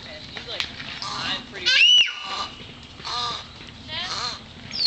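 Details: Bald Eagle at the Toronto Zoo giving thin, high, squeaky piping notes in short bursts, with one clear whistled note near the middle, while people talk in the background.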